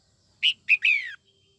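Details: Three-part phrase from a female red-whiskered bulbul singing in the morning to rouse males: two short notes, then a longer whistle sliding downward, with quiet surroundings.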